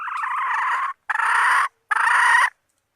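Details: Lure call of a female red junglefowl for drawing males: three long, hoarse, harmonic squawks, each under a second, separated by short pauses.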